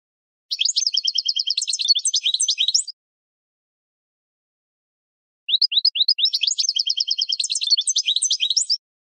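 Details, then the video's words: Training song of a captive European goldfinch: two bursts of about 2.5 and 3.5 seconds, each of rising chipped notes leading into rapid even trills and tinkling twitters, separated by a silent gap. "Goldfinch Singing 12h Training Song"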